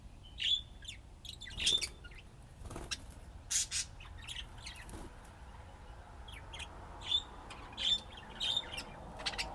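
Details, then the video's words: Budgies at play repeat short high whistled chirps every second or so, separated by soft scratchy sounds over a faint low hum. "طيور الحب لعب وزقزقة"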